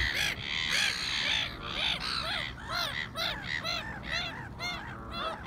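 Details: Three black-headed gulls squabble among themselves with harsh, grating, down-arched screeches, several birds overlapping at about two calls a second, over a steady background hiss.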